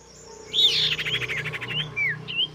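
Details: Female common iora calling the male: a loud, fast buzzy rattle of rapid chattering notes, followed by several short high downslurred whistles, with a faint low hum beneath.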